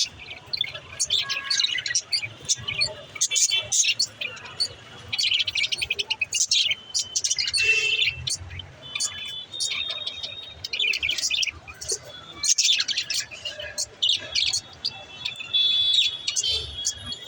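Lovebirds chatter in a busy stream of shrill chirps, squeaks and short whistles.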